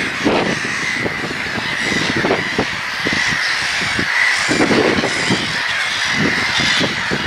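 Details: Gulls squawking en masse in a steady, harsh chorus of overlapping cries, with repeated low thumping bursts underneath.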